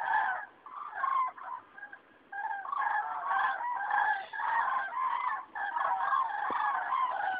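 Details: A spring migration flock of common cranes flying over Rochechouart (87), 15 February 2013, gives a near-continuous chorus of loud, rolling trumpeted calls from many birds, with brief pauses between waves.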